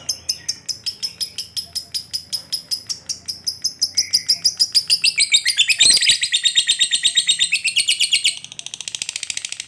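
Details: Lovebird in fighter condition giving a long 'ngekek' trill used to lure other lovebirds into singing: rapid, even train of high harmonic chattering notes that speeds up and grows louder midway, then turns softer and quicker near the end.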